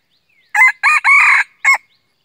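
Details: A red junglefowl used as a decoy, recorded 2 April 2019, crows a clipped, brassy phrase over about a second: two quick notes, a longer drawn-out note, then a short final note, with nothing else heard.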